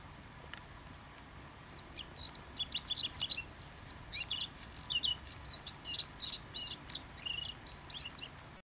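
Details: A first-winter male bluethroat sings in Ria Formosa Natural Park, Faro, on 30 October 2012: a quiet, rapid run of varied high chirps, trills and twittered notes, scarcely pausing between phrases, over a soft steady background hiss.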